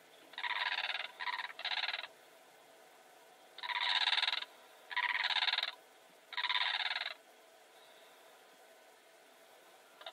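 A blue crane gives harsh, rasping, rattling calls in bursts of about a second. There are two quick clusters, then three longer calls spaced about a second apart.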